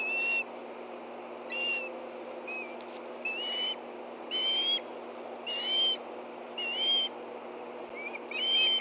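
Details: Ospreys at a nest in Hellgate Canyon, Montana, 10:46 a.m. on 24 August 2013, in a stir as a fish is brought to two hungry birds: about seven drawn-out, high whistles a second or so apart, mixed with short chirps.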